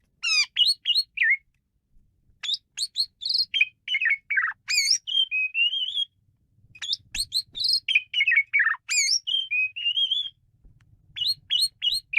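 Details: Asian pied starling singing wildly: long fast sequences of loud whistles, rising and falling slurs and harsh chattering notes almost without break, brief gaps, faint low rumble in the background.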